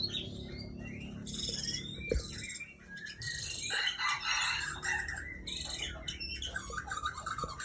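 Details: ['White-rumped shama from a breeding stock: loud, varied song of bright whistled phrases, sharp high chips and rich warbled passages that shift quickly in pitch, with brief gaps and a faint low background hum.']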